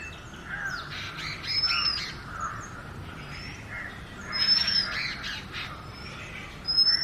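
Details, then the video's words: Oriental magpie-robin singing naturally: thin high clear whistles sliding upward, mixed with harsher scratchy bursts at about two-second intervals, over a low steady background hum. "Magpie Robin Singing 🎶 7-Different Sweet Melodies of Magpie Robin 🐦Oriantal Magpie Robin calls"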